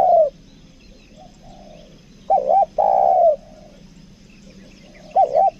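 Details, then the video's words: Spotted dove lure bird of the two-note 'kuk dua' style, from Lombok, giving low mellow coos: a wavering double note followed by a long falling coo, with soft faint coos between and quiet rural background. "PIKAT TEKUKUR KUK DUA"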